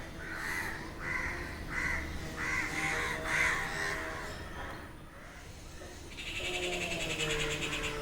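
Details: At noon, restless crows give harsh, rasping caws, about one every second, then a different bird adds a higher, chattering call near the end.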